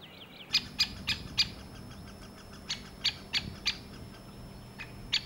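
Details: A great spotted woodpecker in Sweden gives sharp, high 'kik' warning notes, about ten in five seconds at uneven intervals, over a faint low hum.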